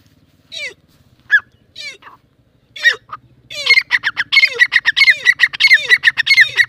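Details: Male francolin, known locally as Irani or Dakni teetar, calling alongside a female. Harsh, grating notes are spaced out at first, then come fast and rhythmic, each ending in a short downward-curving tone, over a faint low hum.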